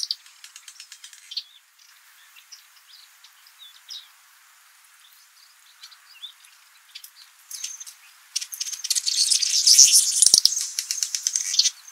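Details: Male Rüppell's weaver building its nest in Jeddah, Makkah Region, Saudi Arabia: dry rattling ticks and high squeaky notes early on, then a loud, dense buzzy sizzling chatter filling the final four seconds.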